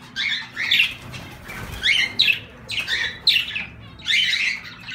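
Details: Zebra finch calls come as short nasal, buzzy beeps, roughly one a second, bright and slightly harsh, with a faint low hum and a soft rustle in the middle.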